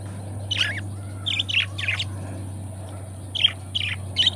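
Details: Two companion pet budgies give short, bright chirps in small clusters separated by pauses, over a constant low electrical hum.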